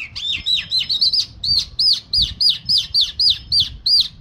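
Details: Singing lark, 'mashadi jal' style as labelled: a steady stream of high arched whistled notes, about three to four per second, each slurring up and down, over a soft low background rumble.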